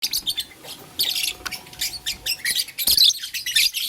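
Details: Pet lovebirds in blue, lutino and green colour forms play with a flower, giving rapid high, harsh chirps in short bursts with brief pauses; a faint steady tone runs underneath.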